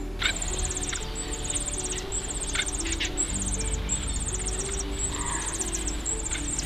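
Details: Common cuckoo chick in a reed warbler's nest in Yorkshire, begging as the warbler parents bring food; its call mimics a whole brood of warbler chicks. Rapid high buzzy trains of clicking notes repeat in bursts about every second over soft music and low hum.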